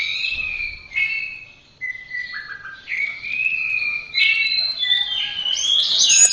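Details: Orange-headed thrush singing for a training recording: long, smooth whistled notes held at a middle pitch, sliding gently up and down, building toward a louder, higher, fuller ending.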